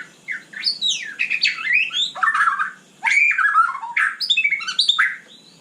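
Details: Night song of a white-rumped shama, a rapid jumble of swooping whistles, buzzy chatter and scratchy notes in two long bursts separated by a short gap.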